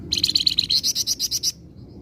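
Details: Flamboyan in vigorous song meant to lure flocking birds: a rapid, even trill of around ten bright, high, slightly buzzy notes over one and a half seconds, ending abruptly, with low background rumble.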